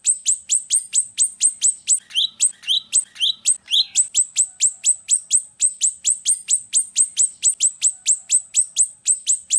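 Golden-bellied gerygone singing a fast, steady run of thin, very high, falling notes, about four each second, with a few lower, softer notes early on.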